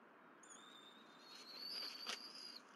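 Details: Bald eagle at the Berry College nest on an April 2023 morning, when the mother brought fish and the parents and young eagle fed on the nest. A thin, high whistled call rises, then holds steady for about two seconds over a broad background hiss.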